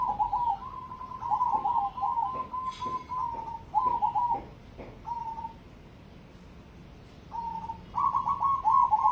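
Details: Competition-grade zebra dove of the cemani type singing a series of mellow, low coos, each phrase broken into quick stuttering pulses, with a short pause mid-way before a louder rapid stuttered burst at the end.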